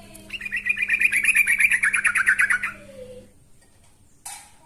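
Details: Yellow-vented bulbul challenging a rival: a quick string of rasping, rhythmic chatter notes, followed by a soft low falling whistle and a brief sharp noise, with a steady hum beneath.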